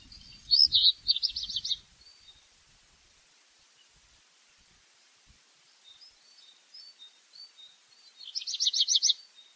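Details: Black redstart song phrases: a loud, fast rattling trill of high pulsed notes, a long quiet stretch with faint scattered high notes, then another rapid rattling trill. Low rustling sounds at the start.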